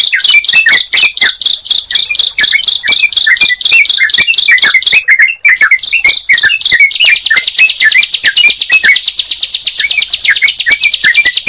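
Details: Bar-winged prinia with yellow-vented bulbul: repeated high buzzy bursts with chirps below, a short gap near five seconds, then a faster, even trill over twittering notes.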